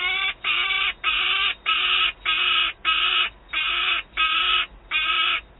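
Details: Well-fed young peregrine falcon screaming at a nest site in Wałbrzych, Poland, on 27 August 2022, while an adult holds prey: harsh, nasal, rasping screams repeated steadily, about nine in under six seconds.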